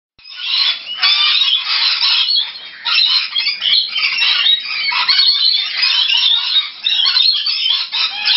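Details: Rainbow lorikeets that regularly visit a home south of Brisbane, Australia, fill the air with a constant shrill chatter of screeches and squeaks, many birds calling over one another without pause.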